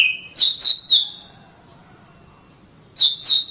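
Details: Caged Oriental magpie-robin for training: a low whistle then three high sweet notes, a long silence, and two more high whistled notes.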